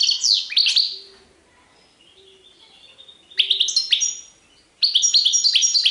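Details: Sarfati and tiwawati style song from a European goldfinch, delivered as three short bursts of sharp, high chirps and tinkling trills with quiet pauses between them.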